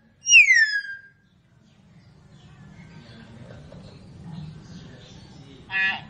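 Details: Hill myna gives a loud, clear whistle that slides steeply downward, then falls quiet before a short buzzy, rasping note near the end.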